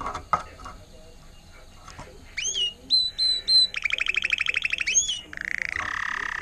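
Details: Learned Timbrado canary of intense yellow agate topaz colour, 2018, with faint clatter at first, then repeated upward-sweeping whistles, a quick pulsing trill, a rising whistle and a lower buzzing roll.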